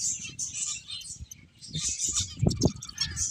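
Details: Finches at play chirp continuously in high, scratchy twitters, with a few louder low knocks and thuds toward the end.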